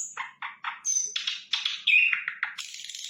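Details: Sikatan londo flycatcher singing energetically, with quick short chattering notes leading into a dense, harsh, high warble, phrases packed close together.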